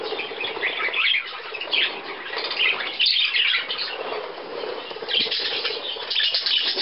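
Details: A budgerigar group on 17 May 2010 going for millet, with visitors from Leer: busy overlapping twitters and short scratchy chirps rise in bursts, with quieter gaps between them and a few wing flutters.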